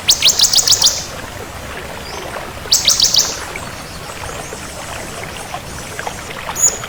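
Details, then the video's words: Crystal-variety bar-winged prinia, called ciblek kristal, singing energetically: two quick high-pitched trilled bursts of rapidly repeated sharp notes, followed by a quieter stretch with a single faint high note near the end. "Suara Burung Ciblek Kristal Gacor"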